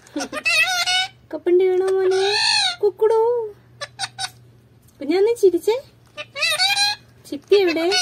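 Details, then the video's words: Malayalam-talking parrot producing scratchy, speech-like phrases: short clicks and bursts mixed with longer wavering tonal syllables, broken by pauses of up to a second. "Malayalam talking parrot"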